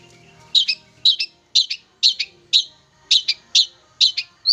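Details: Young wild long-tailed shrike, tamed for about three months and now singing readily: harsh, high chattering double notes repeated roughly twice a second, each a quick pair of scratchy chirps, with faint low hum beneath.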